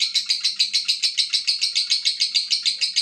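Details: Lovebird in full ngekek panjang, a shrill, very regular pulsed trill of about five to six beats per second, loud and steady for the whole stretch.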